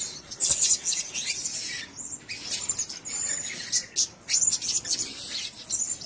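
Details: A cage of blue-crowned hanging parrots chattering in high, sibilant squeaks and short tseep notes, bursts separated by brief gaps, several birds calling at once.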